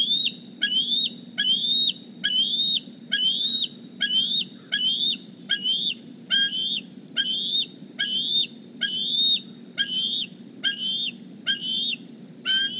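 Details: Young bald eagle D36, hatched 8 April 2020 and wearing a GPS transmitter, flies to the Decorah nest in the morning squeeing for a meal: high, thin whistled squees rising then dropping sharply, repeated a little over once a second, with a steady low hum behind.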